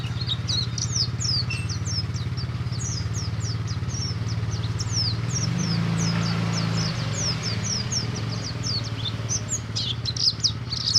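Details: Oriental white-eye song played to stimulate a group of white-eyes to sing: rapid, high, thin chirps and downslurred whistles in a continuous busy stream, over a steady low engine-like rumble throughout.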